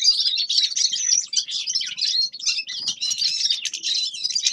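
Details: Grey-crowned goldfinch delivering a dense, unbroken stream of high twittering notes, tinkling chirps and short buzzy trills, fast and loud throughout.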